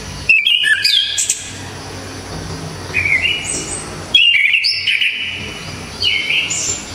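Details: Loud, clear song of a Javanese orange-headed thrush for tutoring other songbirds: repeated bursts of flat and rising whistled phrases mixed with high squeaky notes and short pauses.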